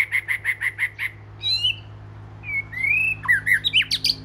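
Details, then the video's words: Oriental magpie-robin, southern type known in Thai as 'binla', and the first of the household. Its song starts with six quick identical chipping notes, then moves into sweet rising whistles and a burst of squeaky, slurred notes at the close. "นกบินหลา ( ใต้ ) ตัวแรกของบ้าน"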